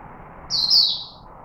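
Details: A chickadee in Singapore gives one clear, high whistled note, about half a second long, dipping slightly at its end. Only a faint low hum lies beneath it.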